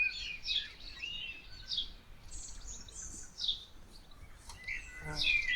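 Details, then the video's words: Female common chaffinch foraging in a pony paddock in a New Zealand valley in summer: bright, high chirps and short twittering notes scattered across a few seconds, ending in a sharper burst, over faint outdoor background hiss. "Female Chaffinch in Summer"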